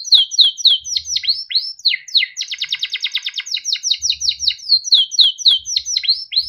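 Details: Timbrado canary, a yellow bird, in melodic song: quick downward-slurred whistles lead into a rapid rattling trill, followed by another run of falling chirped notes without pause.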